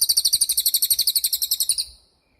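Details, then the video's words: Cililin singing in a sharp, long-lasting training recording for songbirds: a shrill, rapid trill of bright high chirps, about nine per second, holding steady for two seconds before cutting off into silence. "MASTERAN CILILIN || TAJAM DURASI PANJANG"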